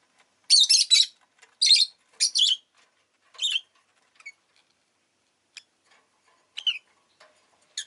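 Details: Pet rosy-faced lovebird giving loud, shrill, buzzy chirps in short bursts, several clustered in the first two seconds, then scattered brief high notes with pauses between.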